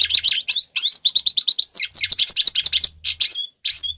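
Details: Grey-crowned goldfinch song used for training captive birds: a dense, fast run of high twittering notes and buzzy trills, tightly repeated with brief gaps, continuing almost without pause for four seconds.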